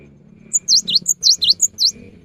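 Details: A cinereous tit sings in the afternoon, a song meant to set other tits singing: about eight quick, bright notes alternate between higher and lower pitches, each dipping and rising, over a low background hum.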